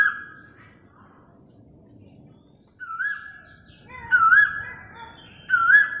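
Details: Asian koel recorded by mobile phone. A fading whistled tone and a pause, then a quieter call and two loud wavering whistles with held endings near the close. Faint chirps from other birds are mixed in.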